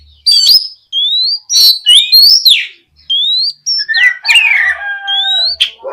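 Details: Oriental magpie-robin in strong song, played to prompt other magpie-robins to answer: rising whistled notes and sharp chips, a few buzzy harsh bursts, and a closing series of smooth upslurred whistles.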